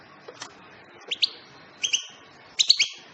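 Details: European goldfinch calling with clipped, ringing double notes, three pairs spaced roughly half a second to a second apart, the last pair fuller and slightly tumbling, over a soft background hiss.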